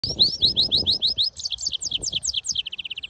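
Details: European goldfinch mule, a hybrid (jilguero mixto), singing: a quick run of rising slurred whistles, then falling buzzy notes, ending in a fast even trill of short clipped notes, over low background rumble.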